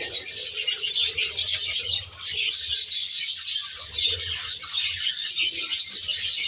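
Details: Budgerigars chattering together inside an aviary, a busy stream of shrill twitters and scratchy warbles from numerous birds, dipping briefly near two seconds, over a quiet low hum.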